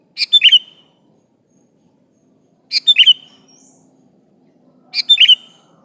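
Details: Sooty-headed bulbul in full voice calling an opponent, used to lure other bulbuls into answering: three short bubbly whistled phrases, each a quick cluster of notes, spaced about two and a half seconds apart over near silence.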